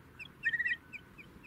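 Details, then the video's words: Brown-hooded kingfisher recorded in South Africa: a short burst of rapid, chattering notes, a quick run of about five clipped pulses lasting under half a second, followed by a faint single note over low background noise. "Brown-hooded Kingfisher"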